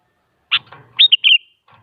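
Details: One short sooty-headed bulbul phrase, from a bird singing steadily as a lure for other bulbuls: a sharp note, then quick slurred whistles ending in a trailing tone, with faint low rustling underneath.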